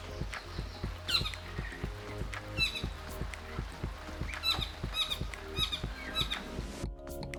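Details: Many kākā gather at feeding stations in Sanctuary Mountain Maungatautari, a predator-free reserve on New Zealand's North Island, calling to each other with harsh squawks and high squeaky whistles every second or so over low musical backing.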